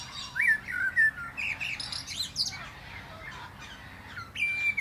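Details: From the crown of a plum tree, a Common blackbird pours out a flowing run of warbled fluty notes climbing into squeaky twitters, ending with a steady high whistle.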